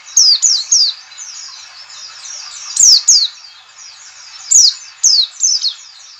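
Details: Lure call of a white-eye, 'ngalas' type, to make birds open their beaks and sing: paired and tripled shrill downslurred notes in irregular bursts, with a constant high chatter of other similar calls underneath.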